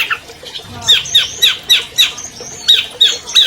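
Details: Albino long-tailed shrike, a champion bird, used to prompt captive shrikes into singing: a run of harsh, scratchy squawks repeated about four times a second over a noisy, hissing background.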